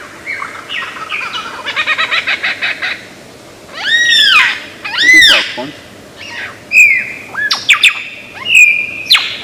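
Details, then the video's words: Lyrebird, an Australian forest mimic, starting with a rapid rattling series of notes, then loud arched, swooping calls near four and five seconds, followed by scattered bright downslurred whistles. "Lyre Bird Burung 1001 Suara"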